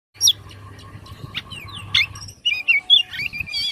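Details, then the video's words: Oriental magpie-robin singing excitedly with its tail fanned open, giving a lively run of varied whistled notes, sharp chirps and fast rising and falling slurred phrases, over a steady low hum. "KACER KONGSLET DAN BUKA EKOR"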